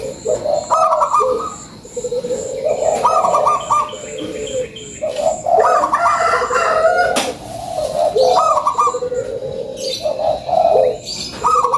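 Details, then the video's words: Local zebra dove lure song, lively: rolling trilled coos in low and higher phrases, repeated in bursts with short pauses, overlapping voices at times, and a faint high pulsing tick in the background. "SUARA PANCINGAN PERKUTUT LOKAL GACORRR"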